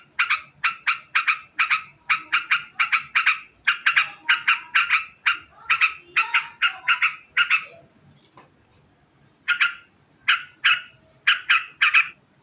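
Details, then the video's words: Sooty-headed bulbul in long, fast ngekek style: dense series of harsh, scratchy chattering notes in quick succession, a short quiet gap near the eighth second, then further rapid bursts resuming. "Suara Unik Burung Trucukan Ngekek Panjang Sangat Cepat"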